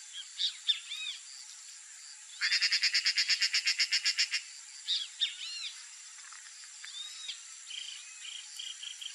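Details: A female snail kite (Rostrhamus sociabilis) sings with a dry, grating rattle of about a dozen rapid notes lasting two seconds. Softer chirps from other birds come before and after.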